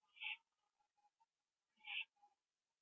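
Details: On a porch at night, 21 September 2011, 11:15 PM, an owl finishes a gopher. Two loud rasping hisses with softer clicking, chittering notes trailing after each.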